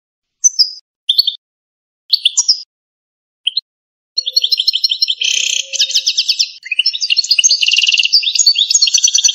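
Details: Algerian goldfinch singing in canto campero style. Isolated short chirps open the phrase, then dense rapid high trills and twittering runs, clean and free of background noise.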